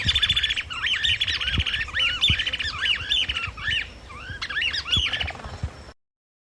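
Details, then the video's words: Chapada Flycatcher (Suiriri affinis) giving a fast, squeaky jumble of rising and falling notes, several per second, with low thumps in the background. "O Canto do SUIRIRI-DA-CHAPADA - Chapada Flycatcher"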